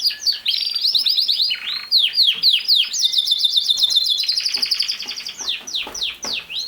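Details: Canary in full song: fast sweeping downslurs, a rolling trill held for over a second, then rapid chips and high ringing notes, continuous and loud.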